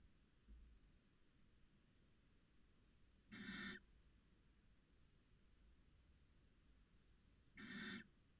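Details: Barn owl pair inside a nest box in Cabañeros National Park, Spain, copulating in late January early in the breeding season: two short harsh screeching bursts about four seconds apart over a steady faint hiss.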